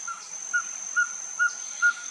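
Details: A perched Ferruginous Pygmy-Owl (Glaucidium brasilianum) sings a steady run of short, mellow whistled toots, about two per second, over constant insect-like hiss; Finca La Gracia, Escuintla, Guatemala, 26 October 2019.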